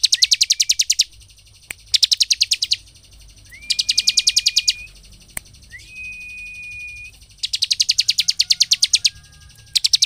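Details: Bar-winged prinia in full song, played to stir other prinias into agitated singing: dense, buzzy bursts of very quick high notes roughly every two seconds, alternating with a long, flat, whistled tone.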